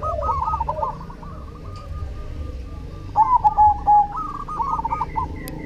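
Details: Zebra dove of the cemani variety in active song: layered trilled coos from several birds, then a louder bird delivering four or five strong clipped coos, low background rumble.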